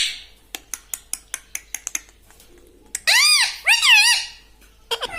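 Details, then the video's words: Indoor pet talking parrot, known for saying "mitthu mitthu": a run of about nine sharp taps or clicks, a pause, then two loud arching squeaky syllables and a brief final chirp. "Talking parrot || mitthu mitthu || tota || Bolne wala tota"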